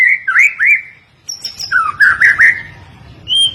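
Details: Caged white-rumped shama singing loud clear whistled phrases, short rising and falling slurs repeated in quick bursts with pauses between, ending on a high sustained whistle.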